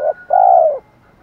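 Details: Spotted dove calling as a lure for wild birds: a short coo, a pause, then a long sustained hollow coo that falls slightly at its end.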